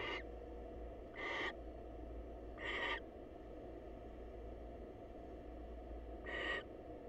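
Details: Wild barn owls at a monitored nest box, the female calling on the male in greeting; four rasping, breathy screeches spaced unevenly over seven seconds, with a long gap before the last, against constant low hum.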